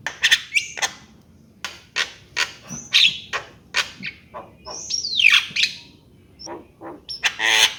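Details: Javan myna mixing sharp dry clicks and harsh bursts with a loud downslurred whistle, notes spaced irregularly with short gaps.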